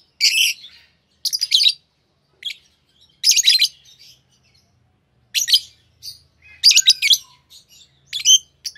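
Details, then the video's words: Chattering song from a pair of green Fischer's lovebirds: rapid clusters of scratchy, high-pitched chirps repeated every second or two across the recording. "Lovebird Singing & Chirping Sounds - Green Fischer Pair"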